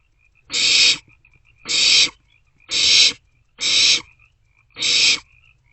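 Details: Nest-box barn owlets at night on 27 March 2024 passing food back and forth; five loud, even, hissing screeches, each about half a second, repeated roughly every second with a faint high peep between.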